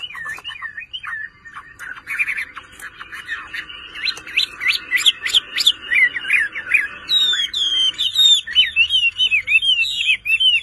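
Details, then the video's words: Hobby-kept Chinese hwamei in vigorous song: varied looping whistles, then bursts of sharp, rapidly repeated notes and, toward the end, high, clear, down-slurred whistles in quick series. "HỌA MI CỦA AI MÀ HÓT QUÁ ĐỈNH ANH EM ƠI"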